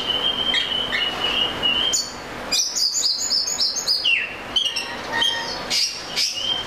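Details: Oriental magpie-robin delivering a long varied song of steady whistles, quick high chattering notes and a descending slurred phrase, with short gaps between bursts and a soft hiss behind.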